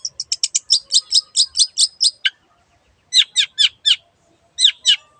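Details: Long-tailed shrike giving a quick series of about ten sharp high notes, then, after a pause, groups of loud downslurred whistles.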